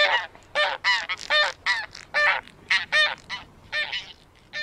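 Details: Taiga bean goose calls: a flock's loud, nasal honks in quick irregular succession, several overlapping, each a short harsh note repeated roughly every half second.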